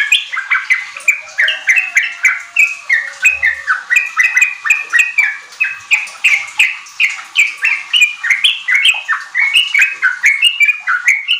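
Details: Vigorous Sooty-headed bulbul singing, offered as a lure so young kept bulbuls start riwik and ropel song; a long, rapid stream of chirpy, slurred notes with no pauses and a brief faint whine early on.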